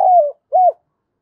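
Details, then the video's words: Decoy spotted dove calling to lure wild doves: a drawn-out, slightly falling coo followed by a short arched coo note, mid-pitched and clean, with no other sounds. "cu gáy mồi gáy gọi cực đỉnh giọng bén bổi, bổi nghe là gáy"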